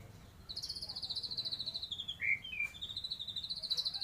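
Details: White-rumped shama singing a song with kapas tembak filling: a long, steady run of rapid, trilled high notes, briefly broken by a lower whistled note, then resuming; faint low background rumble.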